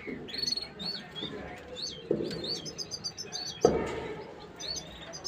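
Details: Bulbul singing in a cage to stimulate the female to mate: quick high hooked whistles and clustered chirps, over a noisy background with a few thumps.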